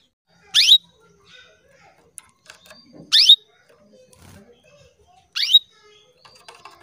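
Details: Female canary calling to males, used to lure them into singing: three loud, sweeping chirps that drop sharply in pitch, spaced about two and a half seconds apart, with faint clicks and small rustles between them.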